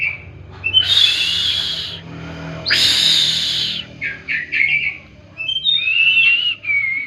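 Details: Kacer (oriental magpie-robin) 'tembakan' song for therapy: two harsh, broad buzzy bursts, then quick short notes and thin high whistles sliding down.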